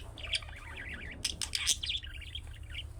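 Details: Budgerigar chick-style calls, the kind other pet budgies reply to: a rapid high warbling chatter of quick chirps with a few louder sharp notes, running without pause over a low hum.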